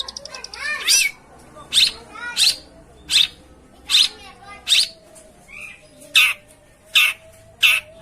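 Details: Long-tailed shrike song used to get a lazy bird singing: a short warbled opening, then loud harsh high notes repeated nearly once a second.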